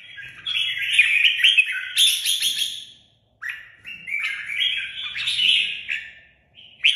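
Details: Pet Red-whiskered bulbul sings rich warbling phrases, fast chattered notes and liquid whistles, in two long bursts with a short silence between and a final clipped note.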